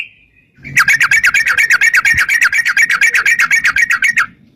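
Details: Sooty-headed bulbul in a long, fast fighting-style trill used as a lure: a steady string of evenly spaced harsh chattering notes, about three per second, lasting over three seconds.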